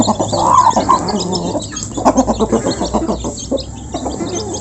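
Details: Local chickens being fed as a flock, close by, make a soft continuous murmur of quick low clucks and faint higher chirps, with no single call standing out.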